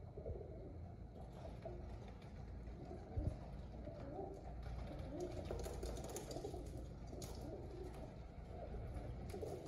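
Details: Pigeons said to be happy, a steady low murmur of overlapping coos from several birds, soft and continuous with faint clicks and knocks, in an enclosed space.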